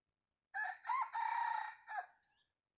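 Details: A prized decoy rooster for luring wild chickens crows once: a strident, buzzy call starting after a short pause, climbing then holding steady, ending in a brief falling note and a faint squeak.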